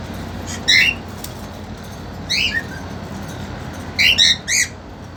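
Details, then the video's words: Young captive cockatiels, an eager male kept with a two-month-old female: clear chirped notes, some in rapid doubles and triples, spaced about a second and a half apart against a low mechanical hum. "When Female Cockatiel Is Too Young To Understand Mating"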